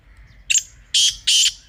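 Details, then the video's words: Brief partridge phrase: a short thin note followed by two loud, rasping, drawn-out bursts about a third of a second apart. "Teetar Ki Awaz Ko Mazboot Karne Ka Tarika"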